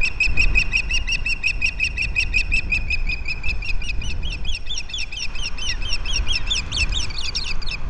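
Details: Osprey pair at their Captiva nest, February 11, 2023, the male bringing fish to the female. Continuous rapid, shrill, slightly slurred chirps repeat several times a second throughout, over low wind rumble.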